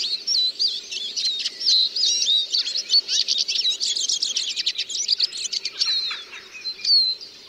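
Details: Eurasian siskin song of rapid chirps and twangy, bending whistles that builds into a dense stuttering trill, then fades to scattered high notes.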